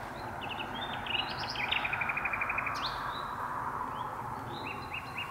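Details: Common nightingale singing at dusk from deep inside birch bushes, with two birds singing. A thin whistled note is followed by a fast, even train of dry repeated notes, then scattered high chirps over steady low background hiss.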